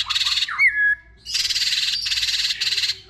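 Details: White-rumped shama, many-voiced song used to provoke other shamas into singing and tail-flicking: harsh broadband rasping bursts alternate with a short falling whistle and a steady high note.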